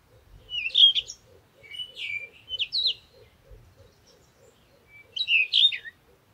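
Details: Squeaky, buzzy chirps from a parakeet in short groups, over a faint steady ticking that repeats several times a second.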